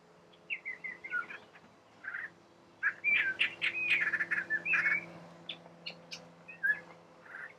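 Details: Collared palm thrush on the Chobe riverbank in Botswana, pouring out varied whistled, warbling phrases at moderate volume, loudest mid-way, over a steady low mechanical hum.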